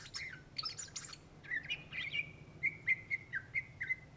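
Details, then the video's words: Greater green leafbird (cucak ijo) from Indonesia, gacor singing: a few buzzy, scratchy notes, then a steady series of short bright whistles, roughly two per second, each a small down-up inflection, over a low hum. "SUARA BURUNG CUCAK IJO GACOR , TELER"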